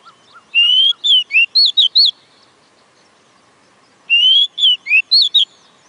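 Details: Oriental magpie-robin repeating the same phrase twice: a rising whistle followed by several quick bending notes, with soft low notes at the start and a pause of two seconds between phrases.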